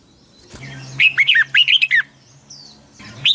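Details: Red-whiskered bulbul singing a morning training song in the long double-twisted voice style, used to push wild-caught birds to sing. One burst of about a second of quick whistled notes, sliding from high to lower pitch, over a faint low hum.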